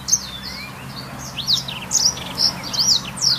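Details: Black-throated canary singing as a training master for canaries, a short run of sharp high chirps and quick slurred notes that grows busier toward the end, with a faint low hum beneath.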